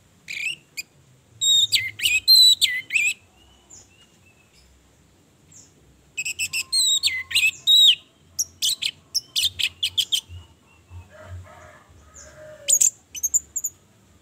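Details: Lure song of a female orange-headed thrush, meant to rouse a male's mating drive and make him sing: bursts of high, scratchy, rapidly jumbled notes separated by pauses of several seconds.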